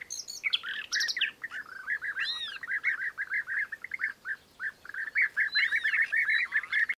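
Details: European bee-eaters calling: dense run of short, rolling, burry notes repeated several times a second in overlapping voices, suggesting several birds, with a few higher thin chirps and whistles mixed in.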